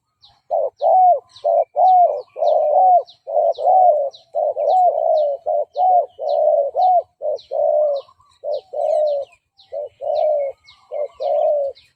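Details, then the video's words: Spotted dove coos played as a decoy to provoke fighting males: a long run of low, soft coo phrases, mostly short notes and arched glides, repeated steadily about once a second, with regular tiny high chirps from another bird behind. "Chim Cu Gáy Mồi Gù Đấu bổi Cực phê/ Tiếng chim cu gáy đấu nghe thư giãn"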